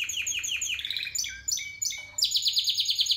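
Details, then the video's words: Spanish Timbrado canary, 2017 bird, with a series of descending whistled notes, stepped metallic phrases at varied pitches, then a rapid pulsing trill repeated several times a second. "Timbrado español original 2017"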